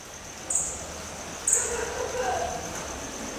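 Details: Red fody at Dvůr Králové Zoo gives two thin, very high chips about a second apart, over a steady high-pitched whine and faint background murmur.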